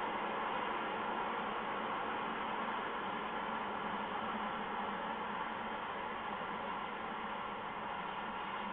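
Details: Steady, even hiss fills the whole recording with a faint low hum underneath, and no animal calls are heard.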